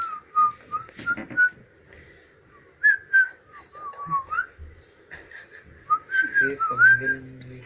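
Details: Pet Indian ringneck parrot whistling indoors: clear sliding whistled phrases rising and falling, with short gaps between them, plus some speech and background music.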